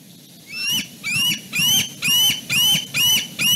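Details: At dusk at Fraser Point, young bald eagle siblings quarrel over perching spots on branches near the nest: seven loud, shrill, harmonic calls, each opening with a sharp downward sweep, repeated roughly every half second.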